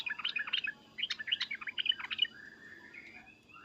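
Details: Sooty-headed bulbul giving agitated calls, loud cuk-cuk and uplik-uplik notes meant to make other bulbuls answer; two bursts of bubbly, jumbled chirps, then a few soft drawn-out whistles.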